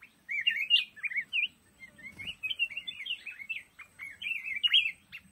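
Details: Black-crested bulbul singing in a lồ ô bamboo thicket, rich burbling whistles in looping up-and-down phrases, with a faint low rustle near the middle.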